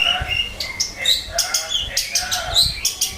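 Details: Long-tailed shrike, a bird that had stopped singing, answering straight away with quick high chirps and short squeaky notes in rapid bursts, with a faint low rumble underneath.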